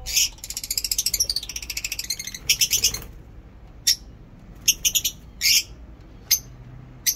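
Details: In Peshawar on a fine-weather day, a lovebird gives a fast rattling chatter of rapid pulses for about two seconds, then isolated sharp, high chirps spaced a second or so apart.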